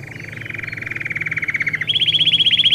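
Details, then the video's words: Belgian canary in a training song for canaries: a steady, buzzy mid-pitched roll that swells in loudness, then jumps abruptly to a higher, brighter trill. "Canto para ensinar canário belga,Canto treinar canário belga."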